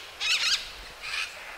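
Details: Morning at an ecolodge in Rondônia, Brazil: 30–40 green parakeets feeding on fruits and nuts in a palm tree give two harsh, screechy calls, a doubled burst then a shorter, high grating one, faint outdoor background.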